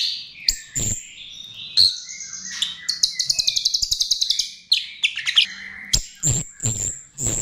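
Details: Lure song of a chestnut-tailed starling, a busy run of sharp chirps and whistled slurs leading into a fast rattling trill of clicks, then more sharp high notes.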